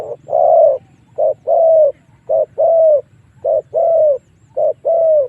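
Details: Spotted dove giving a lure call meant to pull wild doves in to fight; loud, clean cooing in paired notes, a brief coo then a longer falling one, repeated steadily about five times.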